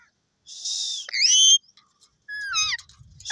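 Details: Parrot letting out a harsh hissing screech, then a bright whistle that sweeps upward, a pause, and a wavering descending whistled phrase, with faint low rumbling at the end.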